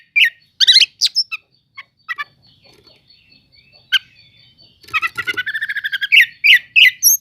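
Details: Oriental magpie-robin song played to stir up slow-to-react magpie-robins: scattered harsh chattering bursts and sharp notes, a quiet gap, then a fast run of repeated clipped notes and whistled slurs.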